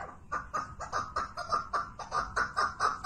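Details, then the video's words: Chukar partridge giving a steady run of hoarse chuck-chuck notes, evenly spaced and mid-pitched, each note a short nasal cluck. "keklik sesi )partridge sound )звук куропатки )sawt alhajal )chakuur voice birds )صوت الحجل"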